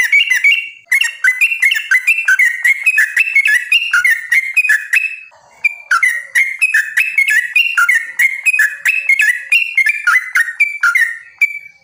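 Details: Lure song of yellow-vented bulbul, meant to provoke other bulbuls into singing: lively sequences of short whistled, slurred notes bouncing up and down, with short pauses between bursts.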